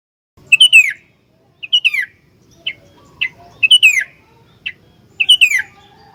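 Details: Sooty-headed bulbul, a caged bird kept as a master tutor for other bulbuls, giving loud, rich whistled phrases that slur downward, repeated about every second with short sharp notes between.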